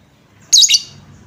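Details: Single lovebird chirp from a lure recording meant to make other lovebirds sing: a short, harsh, warbling high squeak in two quick parts.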